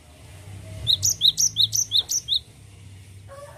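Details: A short burst of a cinereous tit's continuous rolling song: six bright, high two-part notes in quick, even succession over faint background hum.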